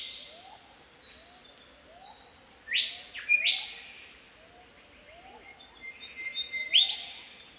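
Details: Golden Whistler in the Australian bush in spring, singing loud clear whistled phrases. Three sharp whipcrack-like upswept notes ring out, two close together and one later, between sustained level whistles and soft lower chirps.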